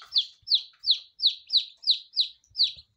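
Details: Steady series of eight shrill, downslurred peeps from day-old lavender Ameraucana chicks, spaced evenly about three per second, loud and clean with a faint low thump at the end.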